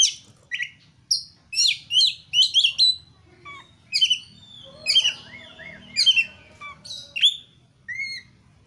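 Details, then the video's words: Oriental magpie-robin, known locally as kacer, in lively varied song used as a prompt to make kacer sing: clusters of bright whistled and buzzy phrases, brief chattering runs, and short clear notes separated by small pauses. "KACER GACOR MATERI MEWAH// PANCINGAN KACER AGAR GACOR"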